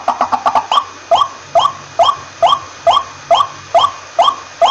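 A waterhen opens with a quick stutter of notes, then settles into hoarse, rising-and-falling calls repeated about twice a second.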